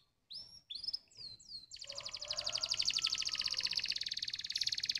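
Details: Stimulating canary song: four separate swooping whistled notes, then a sustained very rapid high rolling trill.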